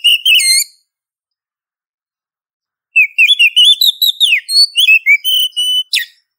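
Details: Female Oriental magpie-robin calling to a male, played as a lure: a short wavering whistle, a long pause, then a lively string of rising and falling whistled notes, clear trills and a final sharp downslurred note.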